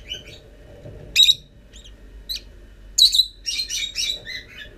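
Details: Young lovebirds, hatched from 13 November, starting to leave the nest on 25 December after nearly forty days; scattered high squeaky chirps, then a run of several rapid harsh chirps near the end.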